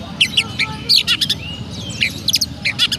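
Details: Oriental magpie-robin kept in Pemalang, Central Java, Indonesia, giving its sparrow-imitating song: quick clusters of bright chirps and chips alternating with a thin drawn-out whistle, over faint low hum.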